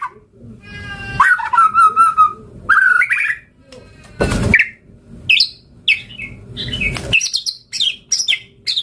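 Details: White-rumped shama singing a varied song of whistled warbles and quick high chirps, with a burst of broadband noise partway through and rapid sharp notes toward the end.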